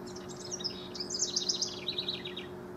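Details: Singing house wren from a rivalry, June 2015: an exuberant rush of high, jumbled, gurgling notes, speeding into a rattling descending series toward the end, steady faint hum below.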